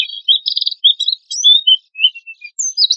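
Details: Oriental white-eye in lively song with harsh bursts, used as a lure: high, thin whistled and trilled notes, some slurred upward, delivered in short broken phrases against a quiet background.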